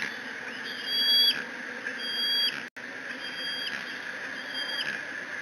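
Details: Decorah bald eagle eaglet on a nest cam, 30 June 2017, squeeing while mantling a fish its father brought; long thin whistled squees with bright harmonics, rising at the end, a few per second, over a steady background hum.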